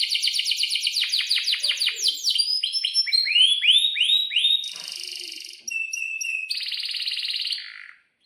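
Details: Canary in breeding condition singing hard, from a tutor recording for young birds: a quick run of descending chips, then upward-curving whistled notes, then two buzzy bursts and a thin whistle before it fades out.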